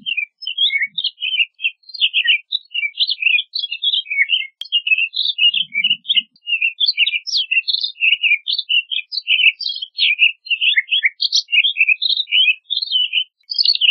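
A pine grosbeak sings a continuous, sweet warble of clear whistled notes and short trills.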